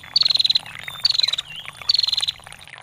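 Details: Female bar-winged prinia with short ngetir bursts: three brisk, high, buzzy ticking trills of about half a second, separated by pauses filled with babbling water.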